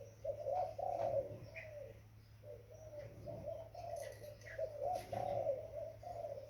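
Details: Young spotted dove cooing in soft, mellow phrases of several notes, with a louder burst near the start and again near the end, and faint chirps and clicks above.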